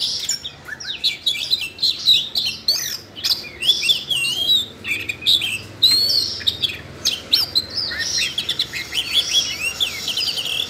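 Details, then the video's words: Caged red-throated thrush singing eagerly after hearing training audio meant for a young bird, a long run of bright whistled and slurred phrases mixed with quick twittering notes, packed closely with brief gaps. "chú oanh cổ đỏ nổi hứng hót chuyện"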